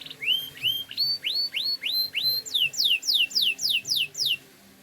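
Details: Canary singing a clear whistled phrase: about seven upward-slurred notes at an even pace, then a quicker run of about nine higher, sharply falling sweeps, all in a quiet room.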